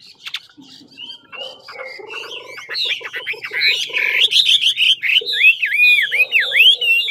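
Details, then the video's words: Chinese hwamei of the ngũ trường type, Lạng Sơn, in fighting song: a low rapid pulsed rattle under scattered whistles, building into a loud tumbling run of high warbled and swooping notes. "Mi ngũ trường to đẹp hót dẻo VIP Lạng sơn"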